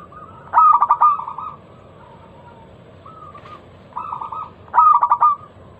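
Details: Local zebra dove singing a lure song to get other doves going: two loud rapid phrases of clipped ringing notes about four seconds apart, with softer short coos between them.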